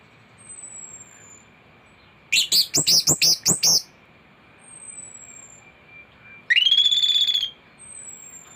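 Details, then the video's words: A thrush delivers a short run of six or seven sharp, ringing chip notes, pauses, then gives one long, bright, level whistle. A faint high whistle and a steady background hum sit between phrases. "Anis gacor teler isian komplit materi masteran burung anis pancingan bunyi"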